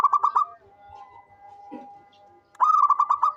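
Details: Local zebra dove calling often: a quick stutter of about four coos, a quiet steady tone, then a longer run of about seven rolling coos.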